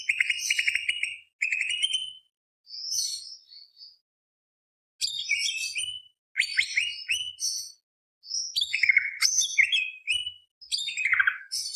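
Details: Greater green leafbird in active, non-stop 'full isian' song, styled tembak beset roll panjang, used as a lure to excite other birds: fast bursts of sharp chirps and trills, some high and thin, others dropping, separated by short pauses.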